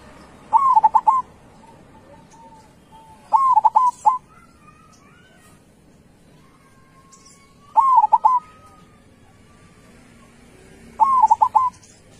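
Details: Cooing song of a local zebra dove, kept for its loud, powerful voice. Four mellow multi-note phrases come roughly every three to four seconds. Each starts with a sliding note and breaks into short bubbling notes. Faint whistles sound between phrases.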